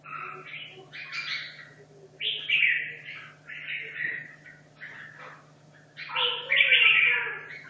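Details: Red-whiskered bulbul, caged for two and a half years, training for a song contest, gives short bubbly whistled phrases about once a second, varied and chattering, ending in a louder rolling flourish; faint constant hum behind.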